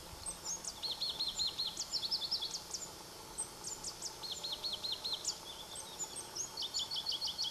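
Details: Pallas's leaf warbler (Phylloscopus proregulus), two birds singing near Erdenebulgan, Khovsgol Aimag, Mongolia, in July 2009: bursts of fast repeated high looping notes, sharp upswept whistles and brisk trilled series, each phrase changing pitch, against steady hiss.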